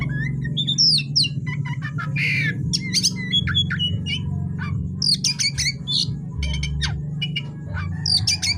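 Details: Oriental magpie-robin in vigorous nocturnal song: quick varied whistles, sharp clicks and a buzzy harsh note, phrases tumbling one after another over a broad low hum.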